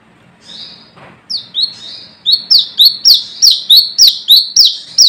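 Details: Wild brown-throated sunbird calling to rivals, as used for luring. A few soft, slurred high notes open, then a fast run of about ten sharp, piercing notes that swoop down then rise, spaced roughly a quarter second apart.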